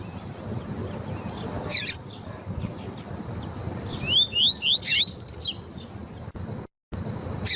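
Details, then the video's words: Double-collared seedeater, tuí-tuí fibra song style, with a female's call used to excite the male: about four seconds in, a quick run of rising, slurred whistles repeated several times a second, preceded by a brief harsh burst, over low background hiss. "COLEIRO TUÍ-TUÍ FIBRA COM PIADO DE FÊMEA PARA ESQUENTAR COLEIRO TUI TUI"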